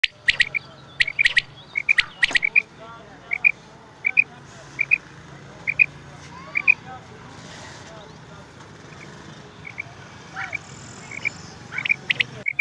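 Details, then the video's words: Female quail calling, used for hunting: short high paired chirps repeated about every second, faint over a low hum, with a few squeaky notes in between. "femail batair ki awaz"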